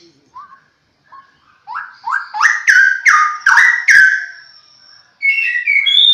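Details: A pair of straw-headed bulbuls singing a lively duet: soft low notes building into loud rich rising whistled phrases repeated about twice a second, then a pause and another warbled whistled burst.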